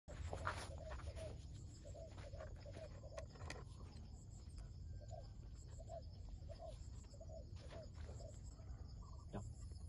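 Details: Wild dove calling as it is lured toward a trap: soft, low cooing notes in short repeated groups, spaced across the clip over a steady low rumble and a constant high insect drone.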